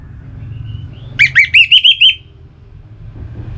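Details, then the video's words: Orange-headed thrush singing, a recording used to stimulate kept birds to sing: a faint thin whistle, then five bright looping whistled notes in rapid succession, with steady low vehicle rumble underneath. "Suara Burung ANIS MERAH"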